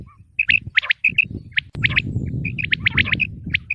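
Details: Quail chirping from a Mianwali recording used for hunting, said to be female quail voices: clusters of sharp high chirps in quick doubled and tripled bursts over a steady low rumble.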